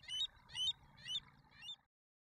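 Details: In Alberta, American avocets accompanied by their young chicks call four loud, sharp, high notes spaced roughly half a second apart, then fall silent.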